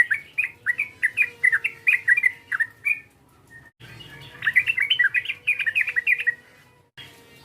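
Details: A yellow-vented bulbul gives provoking calls to a rival in two phrases of quick, tumbling chirps. The second phrase is denser and more excited, and a faint low hum sits in the background.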